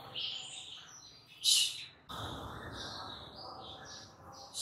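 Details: White-rumped shama song played as a lure to provoke other shamas: bright, high whistled phrases in short bursts, a loud harsh burst of notes midway, then more varied whistles over a low background hum.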